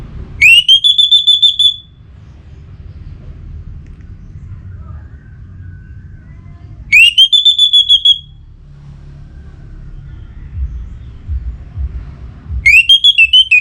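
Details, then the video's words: Caged orange-headed thrush in North Bali, Singaraja, roused to breeding excitement and calling a rival: three short bursts of fast, repeated high whistled notes, each burst about a second long and spaced around five seconds apart, over faint indoor hum. "ANIS MERAH Gacor Pancingan Birahi & EMosi Burung || Kicau memanggil lawan"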